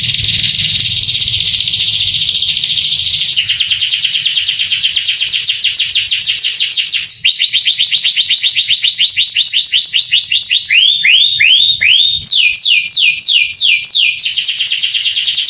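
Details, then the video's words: Canary tutor song in the masteran kenari style, meant to excite young canaries so they answer and sing readily: fast dry trills shifting to slower rolls, then clear rising-and-falling swept notes and quick descending sweeps at the end. "MASTERAN KENARI bikin KENARI PANAS EMOSI langsung gacor"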